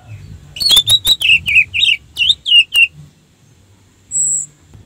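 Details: Lure song of an orange-headed thrush, meant to excite rival thrushes into singing. About ten quick, sweet, slurred notes come in a rapid chattering string, then a pause and one thin, high, drawn-out whistle.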